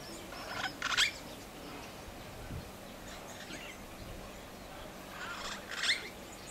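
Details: Long-tailed glossy starling in Bandia Reserve, Senegal, in March 2010 gives two bursts of harsh, grating chatter about five seconds apart, quiet between them.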